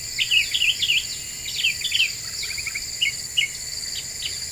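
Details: Black-winged bulbul lure song, a series of short, clear whistled chirps near the start, then sparser single chirps, over a steady high insect-like hiss and hum.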